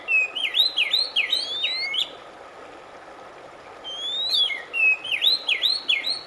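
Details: Oriental magpie-robin singing in a recording meant to relax a stressed bird: two rapid bursts of looping whistled notes, each opening with a rising slur, separated by a short quiet gap.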